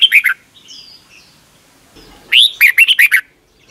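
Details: Red-whiskered bulbul from Thailand singing for young caged birds to copy: a short clipped phrase, a quiet gap with faint distant chirps, then a rising note leading into a quick string of warbled syllables.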